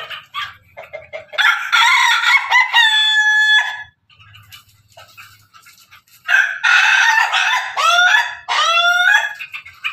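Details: Pelung and Ketawa roosters crowing together: a long rasping crow ending in a clear held note, a quiet gap, then a series of rising, hiccupping laugh-like crow phrases.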